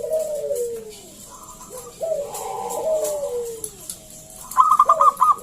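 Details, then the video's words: Local zebra dove (perkutut) singing loudly to coax other doves to answer: soft falling coos drawn out over a second each, then a rapid stuttering run of higher clipped notes near the end, over light background noise. "PERKUTUT GACOR SUARA PALING AMPUH UNTUK PANCINGAN BUNYI BURUNG PERKUTUT AGAR NYAUT GACOR"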